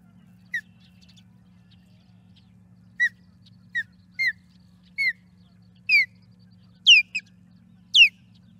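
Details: Osprey at the Charlo nest escorting an intruding osprey out of the area, May 12, 2022, 5:45 pm: a series of sharp, down-slurred whistled chirps, growing louder and higher toward the end, about one per second, over a faint steady hum.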